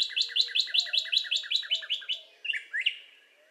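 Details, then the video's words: A Northern Cardinal sings a quick run of about a dozen bright, slurred notes, roughly five a second, ending in two longer swooping whistles over a faint low hum. "Northern Cardinal Bird Sound"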